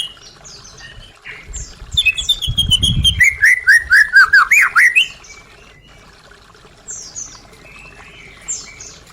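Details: White-rumped shama singing as a lure for caged birds gone quiet: a high whistle leads into a fast descending series of looping whistled notes lasting about three seconds, then near silence with faint distant chirps.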